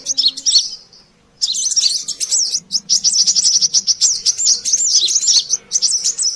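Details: Brown-throated sunbird, presented as a lively lure sound: dense, high, thin chirps and twittering trills. A brief squeaky phrase is followed by a pause of about a second, then near-continuous rapid chattering runs to the end.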